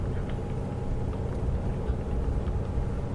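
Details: A vehicle's low engine rumble dominates throughout, with no clear animal calls.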